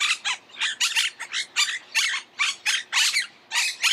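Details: Monk parakeet (Myiopsitta monachus) chattering in a steady series of loud, rough, buzzy squawks, roughly three per second, harsh and grating throughout with no pauses.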